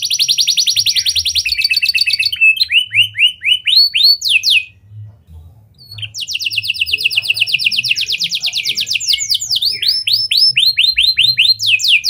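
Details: Canary singing in a lovebird and prenjak style, used as a lure to set other canaries singing: fast high rattling trills, then a run of rising slurred notes, a brief pause, and more long trills and sweeping notes.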